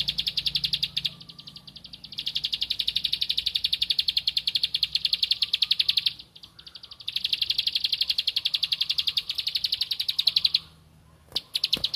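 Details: Bar-winged prinia singing while seeking a rival, in long bursts of rapid, evenly repeated high sharp notes, each burst several seconds long and separated by short pauses, with a faint low hum underneath.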